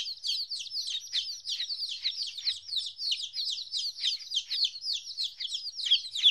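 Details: Fourteen-day-old chicks without their mother peep rapidly, about three high, falling cheeps per second, overlapping into a constant shrill chatter.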